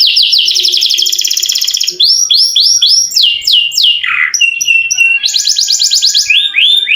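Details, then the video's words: Long rolling canary song used to stir silent canaries into singing: a dense fast trill, then looping rising-falling whistles, a drop to a lower slur, a rattling roll and more rapid trilled phrases. "KENARI GACOR NGEROL PANJANG COCOK UNTUK PANCINGAN BUNYI BURUNG KENARI YANG MALAS BUNYI!!!"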